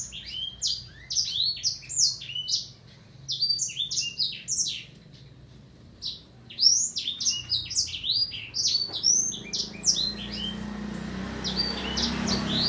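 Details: Black-throated canary in sustained song: dense, rapid twittering of sharp high notes for about five seconds, a brief pause, then another burst of chattering phrases while a low hum rises in the background.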